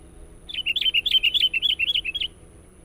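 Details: Energetic sooty-headed bulbul lure song: a quick burst of about twelve twittering, wavering notes in under two seconds, clear against a quiet background.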